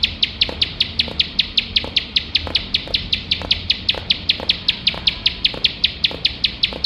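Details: Ciblek sawah (bar-winged prinia), a competition bird singing nonstop in the 'nembak' style: a long, regular volley of about thirty-six piercing high chips, roughly five per second, over a soft background hum.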